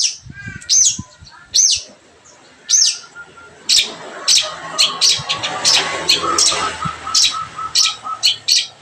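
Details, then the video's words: Long-tailed shrike (cendet) song: a few harsh buzzy notes at first, then a fast, dense run of sharp chattering and scratchy notes, overlapping and varied, with a low background hum. "kicau an cendet"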